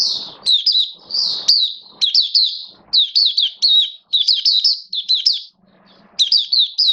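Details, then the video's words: Caged oriental white-eye (mata puteh) in build-up form for the bird hobby, 19 September 2022: dense, high twittering song of fast downslurred chirps in clustered phrases, brief pauses between, faint rustling below. "Mata Puteh V2 Raja Buka Sing Build Up Form"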